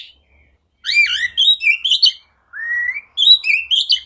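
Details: Oriental magpie-robin lure song for kacer that will not sing: two phrases, each opening with a long rising slurred whistle followed by quick warbled notes.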